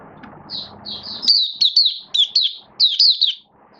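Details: Oriental white-eye kept for the bird hobby, build-up form, 19 September 2022: after a few soft high notes over low hum, a lively string of sharp, warbled chirps with slides up and down.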